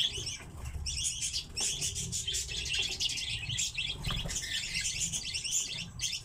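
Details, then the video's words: Common redpolls kept as cage birds, giving dense, overlapping high chattering and twittering calls almost without pause, with soft thumps and rustling in the background. "Чечетки - Acanthis flammea"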